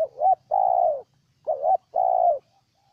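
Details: Spotted dove in Ninh Thuận province, Vietnam: two loud phrases, each a quick wobbling coo leading into a longer, slightly falling hollow coo, with short pauses between and little background noise.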